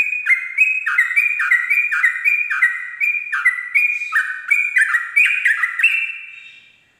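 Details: Rapid ropel song of a sooty-headed bulbul at daybreak: a dense chain of short ringing whistles alternating high and low, briefly rising near the end before fading out.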